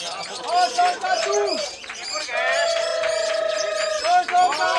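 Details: Lovebird singing at a bird-singing contest in East OKU, Indonesia: long, sustained whistled notes interspersed with rapid chattering trills and buzzy bursts, with people talking and other birds in the background.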